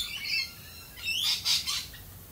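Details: Galah in Australia: a rising whistled sweep, then several loud, rasping screeches in quick succession, high-pitched and harsh, dominating a quiet background.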